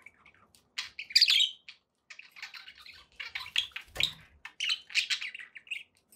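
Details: Several pet budgerigars kept indoors give rapid chirps and buzzy warbled notes, with a loud harsh squawk near the start and another burst of scratchy chatter later, then short tweets spaced out toward the end.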